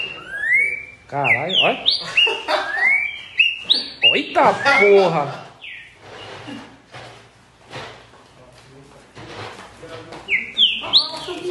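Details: Green-winged saltator singing: loud, clear whistled phrases with quick upward-slurred notes in rapid bursts over the first five seconds. A quieter stretch of scratchy rustling follows, then more rising whistles near the end.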